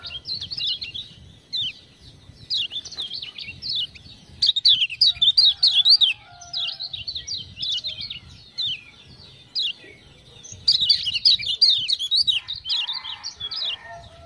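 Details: Long spell of lemon-bellied white-eye (kecial kuning, Lombok) song prompted by ciak-ciak sounds: repeated bursts of quick, high, jittery chirps with quieter stretches between, sharpest near the start and again late.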